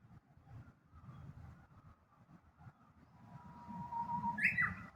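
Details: Japanese bush warbler in Kashiwanoha Park, Japan, May 2025, singing over a steady low rumble: a lower, quieter held whistle that rises into a short sharp flourish at the end.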